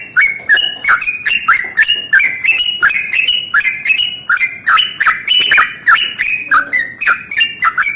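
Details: Yellow-vented bulbul in the morning singing its long rolling 'ropel panjang' song, used to spur other bulbuls into song: rapid bubbly chattering notes with bright overtones, tumbling up and down, repeated about three times a second without pause.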